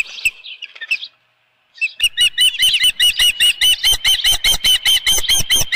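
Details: Osprey at a nest on Dunrovin Ranch, evening of 10 June 2018 around 6:41 PM, with a headless fish. After a brief pause, loud, sharp whistled chirps repeat steadily, a little over two per second.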